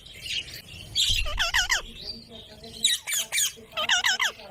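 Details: Green parrot, kept as a pet, giving a run of harsh, harmonic squawks and chattering notes in short bursts, with a pause near the middle; a person softly repeats "mitthu" nearby.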